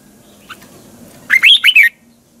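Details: Morning song of a red-whiskered bulbul in the twisting double-voice style, meant for training birds to sing. A single brisk phrase of four rising-and-falling warbled notes comes after a faint short note, over a low background hum.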